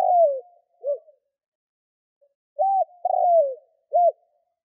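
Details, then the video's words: Spotted dove cooing to attract wild doves; the tail of a long falling coo and a short coo, silence, then a complete short–long–short phrase with the middle note sliding lower. "Chim cu gáy kích bổi nhanh nổi"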